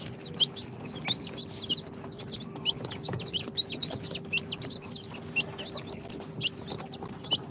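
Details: Newly hatched chicks of Sultan, Golden Sebright, Cochin and booted breeds, two days out of the incubator, peeping constantly in a dense chorus of high, down-slurred chirps overlapping several per second, with a steady low electrical hum behind.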